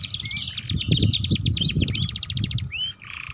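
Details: Canary singing, a strong chattering song bird used as a tutor for young canaries learning to sing: fast rattling trills and rolling buzzy phrases high up, brief clear whistles, then a sharp upslurred note near the end, with low background rumble.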